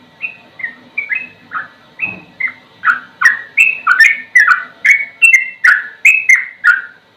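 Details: Sooty-headed bulbul sings a slow yet rapid-fire ropel, recorded for tutoring other birds: flowing chain of liquid whistled phrases, speeding up midway, about two and a half per second, with sharp high ticks.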